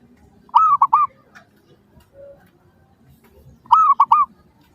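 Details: Zebra dove song used as a lure to draw replies from other doves: two phrases of three quick arched cooing notes, the second repeat about three seconds later, over a faint low background hum.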